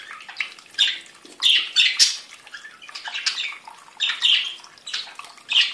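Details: Several budgerigars in song, giving harsh, scratchy warbling bursts with squeaky chirps. The bursts come in uneven clusters about every half second to second, with brief quieter gaps between them.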